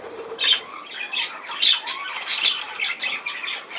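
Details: Budgerigar calls in a few separate, sharp squawks and brief screechy notes roughly every half second to second, with quieter warbling between them.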